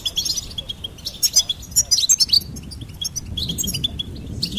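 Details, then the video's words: Goldfinch singing a lively run of high, liquid twitters, with a cluster of louder sharp chirps around two seconds, then softer trilled chatter. "Goldfinch Singing and Song Compilation"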